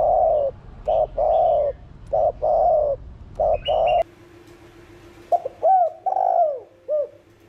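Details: Spotted dove cooing phrases, 'thổ đồng' voice, intended to stimulate other doves: a run of short and longer mellow low coos over a hissy background, then after a break clearer rising and falling coos in quieter surroundings.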